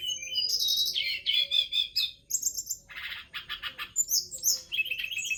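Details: Tledekan gunung forktail pouring out a dense, continuous song of buzzy chatter, rapid trills and high whistled slurs, with a rasping burst mid-phrase.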